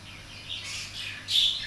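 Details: Young greater green leafbird learning to sing, tutored by a Javan pied starling, a bearded bulbul and a green bulbul. Two harsh, buzzy, high chirps, the second louder and upswept, over a low indoor hum.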